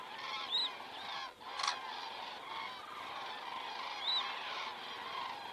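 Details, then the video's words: Evening passage of common cranes over Estonia at 19:10 on 19 September 2017, crane camera audio: a flock's trumpeting calls in a steady overlapping chorus, a few clearer rising notes and a short noisy burst early on. "cranes flying over"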